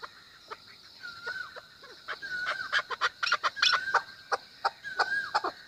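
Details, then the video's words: Chukar chuck notes building into a faster, busier series. Long thin whistled tones and a hissy background sit under the calls. "chakor ki awaz | keklik sesi | voice of chakor"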